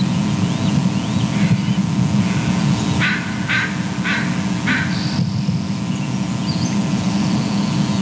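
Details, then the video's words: Adult bald eagle pair at the nest, female calling more excitedly as the male arrives, both calling while mantling an item he brought: four short, bright, stacked call notes about half a second apart, over steady low rumbling noise and faint high chirps. "em looks lright calls more excitedly, mr. arrives from the right, both are making a bunch of calls."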